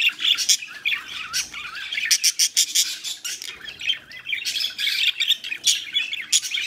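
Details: Budgerigars chatter continuously while mating, mixing scratchy squawks with quick high chirps and warbles in dense, overlapping bursts.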